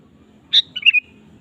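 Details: Sooty-headed bulbul singing actively, meant to prompt another kept bulbul to answer; a brief phrase with a strong opening note and a few liquid whistled notes, with faint low rumble behind.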